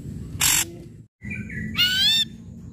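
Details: Harsh and whistled notes from a loud ashy drongo, recorded as a lure to get quiet drongos singing. A scratchy burst comes first, then a short whistled phrase and a long, grating, many-layered rasp, with a low rumbling background.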